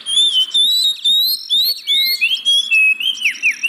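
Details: Oriental magpie-robin song as a lure for birds reluctant to sing: loud, clear whistled phrases that slide up and down, delivered in rhythmic bursts about every half second with buzzy overtones.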